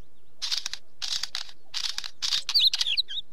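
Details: Wheatear giving grouped bursts of harsh, rattling clicks about every half second, then a few twisting whistled notes at the end.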